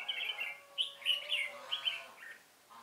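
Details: Lure red-whiskered bulbul at a trapping site, 1 November 2017, giving a lively run of clear, warbled whistles in several short phrases with brief pauses between, over a faint low background hum.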